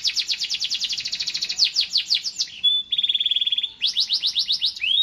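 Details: Singing canary delivering a rapid series of descending sweeps, a short pause, a level high trill, then more quick downslurred notes ending on a rising whistle.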